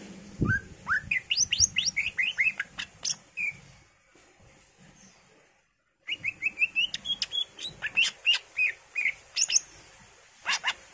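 A greater green leafbird sings fast runs of bright, rising whistled and chattering notes, pausing briefly before another burst of varied phrases.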